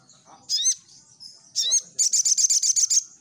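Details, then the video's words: Sunbird song used as a lure to draw responses from other birds; two high sweeping chirps with downward-curving notes, then a rapid trill of about ten sharp high notes over a quiet background. "Di Jamin Respon Sogon Langsung Nyaut | Burung Sogon Gacor"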